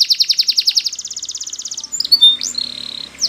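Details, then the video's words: Singing Belgian canary, a song for training canaries: a quick rolling trill of bright notes turns into a finer, faster trill, followed by a few short whistles and a sustained flat whistled note. "The Belgie Canary's Seduction for the Canaries to Stop Sounding"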